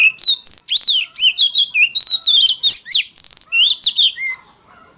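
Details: Oriental magpie-robin delivering a very loud fighting song to draw rivals, a continuous five-second burst of clear whistles, rising and falling slurs and quick chirps, about a dozen phrases, fading at the close.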